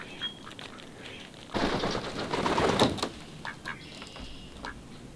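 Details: Mallard of a pair that arrived unusually early on 10 March in spring gives a loud burst of harsh, raspy quacks lasting over a second, then softer scattered notes, with rustling background noise.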